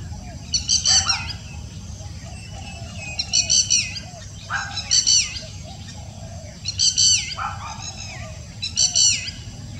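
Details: Fulvous-breasted woodpecker calling in the evening, 23 May 2019: five bursts of high, sharp chattering notes with downward-slurred tails, spaced about two seconds apart, plus lower sliding notes, over a steady low rumble.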